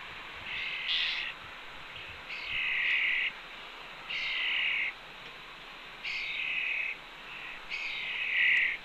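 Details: Fledgling red-tailed hawk with its mother by the fledge ledge at a Cornell nest, June 2, 2013, 2:47 PM. Five long, harsh, high screams, each close to a second, follow roughly every one and a half seconds.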